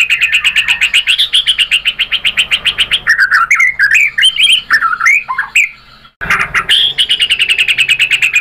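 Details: White-rumped shama song to lure other shamas into singing: fast repeated buzzy chips, a varied passage of sliding and warbled notes, a brief silence, then the rapid chip series again.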